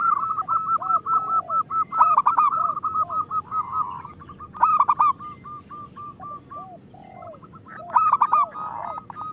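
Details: ['Local zebra dove song used as a lure to make lazy caged doves sing: rapid rolling series of soft cooing notes at an even pitch, with louder rippling bursts about every three seconds.']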